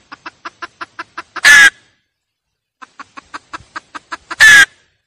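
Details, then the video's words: Hen cackle played as a lure: two bouts, each a quick series of about eight clipped clucks climaxing in one loud, drawn-out harsh squawk. "tiếng gà mái cục tác"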